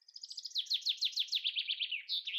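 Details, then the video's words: Common chaffinch male, said to sing 400 times an hour while the female incubates: a fast rattling trill of repeated descending notes that slows slightly toward a terminal flourish. "Soyez attentifs, vous reconnaîtrez son chant"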